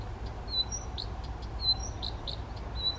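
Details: Brief burst from a male Blyth's reed warbler at Bukovský pond near Těchařovice, Czech Republic, 19 June 2014, singing without playback: thin high whistled notes alternating with short rounded chirps, against low steady background noise.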